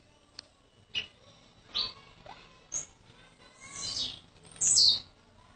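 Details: Blue-black grassquit, a young bird from Jacarepaguá, Rio de Janeiro: scattered faint clicks and short notes, building to a loud, very high, downslurred buzz near the end, over low background noise.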